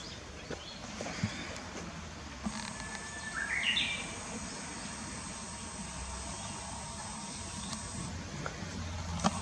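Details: Japanese bush warbler singing at Okamoto Park, Futako-Tamagawa, on 24 April 2021: a short steady whistle, then a quick burst of higher warbled notes, fairly distant, over a constant high electronic tone and low background rumble.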